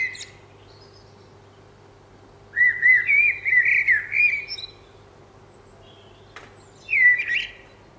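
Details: A blackbird recorded in northern England sings two mellow, human-like whistled phrases around two to three kilohertz, varied rather than repeating, the first lasting over two seconds with a twittery end, over a faint steady hum.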